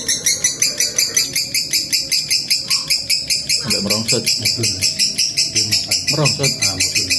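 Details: Lovebird singing a long ngekek trill, a master recording for training: a continuous rapid chatter of sharp high notes, about four per second, with low murmuring sounds underneath.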